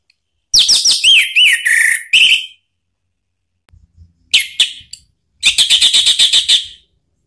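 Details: Song of an Orange-headed thrush, played to provoke another bird to sing: looping rising-falling whistles and sharp notes, a pause, a brief chirp, then a quick rattling series of high repeated notes.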